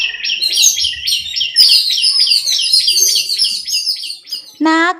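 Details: Several Jungle babblers give a fast, harsh, overlapping chatter of squeaky notes, ending with a brief human voice.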